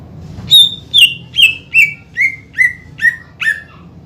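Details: Greater green leafbird in full song, played to stir lazy rivals into calling: a run of eight loud descending whistles spaced roughly half a second apart, each slightly lower than the last, over a soft low background rumble.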